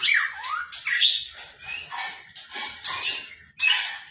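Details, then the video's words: Gacor-style white-rumped shama song from 2021: short bursts of sharp, sliding whistles and scratchy squawks separated by brief pauses, about six phrases in four seconds. "SUARA BURUNG MURAI BATU GACOR"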